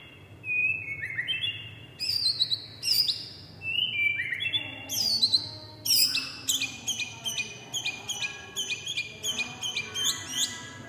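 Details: Tame oriental magpie-robin in full varied song: fluty whistles giving way to fast, sharp chipping and buzzy notes, delivered in quick bursts for about ten seconds.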